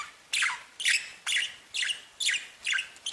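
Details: Budgerigars singing: a steady series of scratchy falling chirps, about two per second, fairly regular, against a faint hiss.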